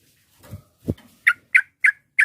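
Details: Sooty-headed bulbul, provocative chatter for rivals: two dull thuds, then four crisp, evenly spaced notes in quick succession.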